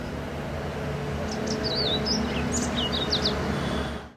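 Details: Streaky Seedeater (Crithagra striolata graueri) in Musanze, Rwanda, March 2013, giving a quick string of thin, high, slurred twitters and chips over about two seconds, against a steady low rumble of traffic.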